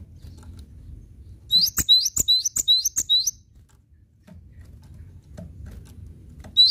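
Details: Cinereous tit singing actively, recorded as a tutor song for training other songbirds: a quick run of six high, sharp, repeated two-part notes over about two seconds, then a pause and one more phrase at the end, with faint low thumps.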